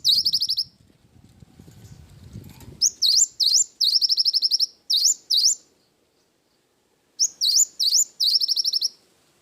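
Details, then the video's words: Cinereous tit singing steadily with a wingko fill. Several phrases pair a sharp upswept note with a quick ringing trill, repeated in bursts, with a low rustling noise early on and silence between phrases. "Burung gelatik batu gacor isian wingko"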